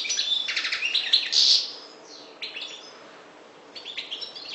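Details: Maghreb goldfinch of the parva race sings a loud, rapid series of bright chirps and a buzzy trill, fading to softer scattered twitters.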